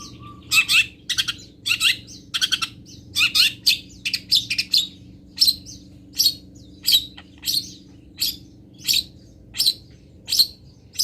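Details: Fill-in song material of a local long-tailed shrike from Pati, used as tutor audio: harsh scratchy notes repeated steadily at about one and a half per second, clustered at first and then evenly spaced.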